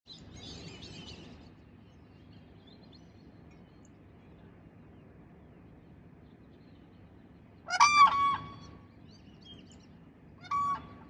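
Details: Whooping cranes, frisky in the morning at close range on their wintering grounds in Rockport, Texas, give a loud, brassy trumpeting burst near the end, then a shorter bugled note; faint higher bird chatter and low noise come before.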